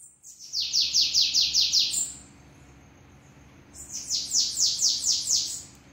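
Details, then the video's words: Bananaquit (sibite) singing the 'treme treme' song style, recorded at a house: two bursts of rapid, high, buzzy down-slurred notes, each burst about seven notes, separated by a short pause. "sibite treme treme, esse bate forte."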